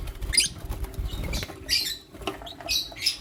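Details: Lutino lovebirds, one male with two females, in the morning: short, sharp, high chirps come in quick bursts of two or three, separated by brief gaps, over a soft rustling background.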